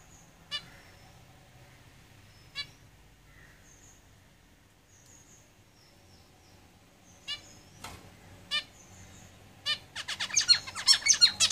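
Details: Zebra finches in a cage: scattered single nasal call notes for about ten seconds, then a sudden dense burst of rapid, buzzy, stacked song syllables at the end, over quiet room noise.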